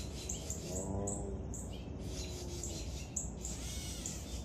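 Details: Young woodpecker being fed, uttering short high, thin squeaks in quick bursts with brief gaps, plus a faint lower tonal sound early on, over persistent low background rumble.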